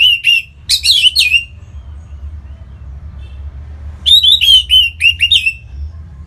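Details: Orange-headed thrush kept as a cage bird in Singaraja, northern Bali, its song played to prompt other birds into singing; two loud bursts of quick, varied whistled notes, opening and closing, separated by nearly three seconds of faint murmuring.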